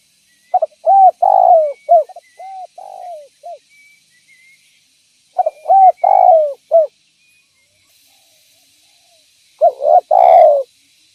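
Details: Spotted dove calling vigorously as a lure for other doves: three phrases of hooked coos ending in a long falling coo. The first phrase trails into softer short notes, and faint high chirps sound in the background.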